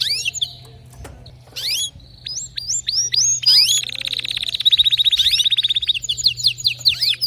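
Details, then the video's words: Canary song with distinctive notes: upward-sweeping whistled notes repeated in sequence, building to a long even rolling trill and further rising slurs. "كناريك سيطلبها بنفسه لا صمت بعد اليوم تغريد روووعة ونوطات مميزة canary"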